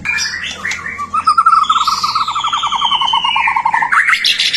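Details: White-rumped shama song played to prompt other shamas to sing, with brisk opening whistles, then a long even run of rapid repeated notes under a high, gliding whistle, closing on sharp rising chirps.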